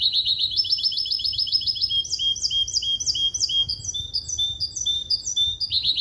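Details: Goldfinch-canary hybrid, male goldfinch crossed with female canary, sings a continuous limpio-style composition: a rapid buzzing trill followed by repeated clear downslurred whistles and bright high twitters, loud and steady throughout.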